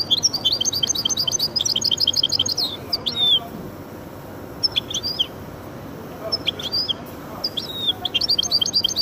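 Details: Hybrid of goldfinch and canary giving quick bursts of high tinkling chirps, separated by quiet pauses, with short sharp notes between the phrases.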